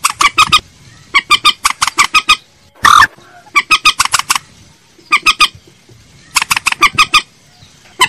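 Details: Common moorhen lure call: bursts of three to five quick, sharp clucking notes repeated about every second, with one loud, harsh squawk near the middle; faint background hiss.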